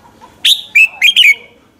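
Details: Single brisk phrase from a red-whiskered bulbul in morning duel song, meant as a lure bird: four loud whistled notes in quick succession, each dropping in pitch, in a quiet setting.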